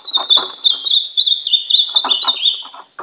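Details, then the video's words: Kept ultramarine grosbeak in brown plumage during training: a continuous high warble of quick up-and-down whistled slurs over about three seconds, with light tapping and rattling noises beneath. "Treino do meu azulão pardo"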